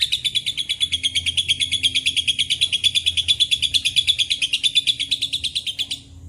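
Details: Lovebird in extended ngekek, its song said to include cililin and canary phrases: a rapid, evenly pulsed high chatter lasting about six seconds before stopping abruptly. Faint low hum underneath.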